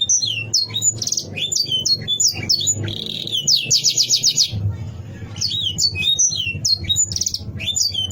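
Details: Canary song aimed at rivals: bursts of high whistled chirps, a fast buzzy trill near the middle, then renewed chirping phrases, with a low rumble in the background.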